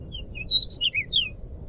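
Crescent-chested babbler giving a quick run of about eight clear, high whistled notes, mostly slurring downward, over a soft low rumble.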